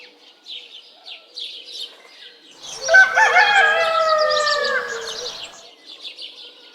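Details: A rooster crow rises out of a background of soft high chirps, holding a strong harmonic call for nearly three seconds before fading, while the chirping continues.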